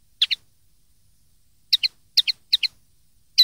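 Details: Common linnet in a 2013 teaching recording made for young linnets to imitate: quick paired twittering notes, each pair a bright chip-chip, repeated several times in close succession after a brief pause. The background is clean.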